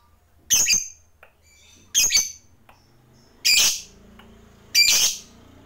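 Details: Lovebird calls meant to heat up other lovebirds: four harsh, high, shrill squawks spaced about one and a half seconds apart, with faint low background noise.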